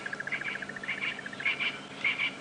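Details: A Crested Barbet calls in the distance in the African bush on a warm late-afternoon game drive on 3 January 2017. It gives a fast, even trill like a running alarm clock, while a spurfowl shouts louder, harsher bursts about every half second.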